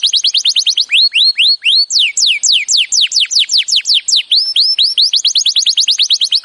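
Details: Canary singing a training song, a continuous stream of bright falling whistled sweeps, first quick, then slower and broader, then quickening again into rapid repeated chirps with no pause.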